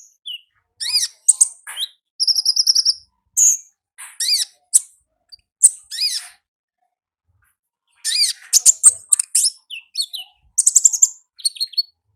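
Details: In the wild, an olive-backed sunbird sings two long bouts of piercing high chirps, quick slurred notes and a short buzzy trill, separated by a silent gap of several seconds.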